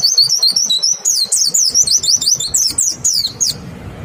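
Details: Lure song of a white-eye, aimed at getting other white-eyes to join in: a continuous stream of very high, clear, zigzagging whistles with quick rhythmic pulses, ending abruptly.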